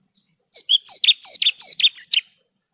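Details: Branjangan (Horsfield's bush lark) in a recording made to train kept birds: a brisk phrase of about ten alternating high whistled and lower buzzy notes, delivered quickly and cleanly.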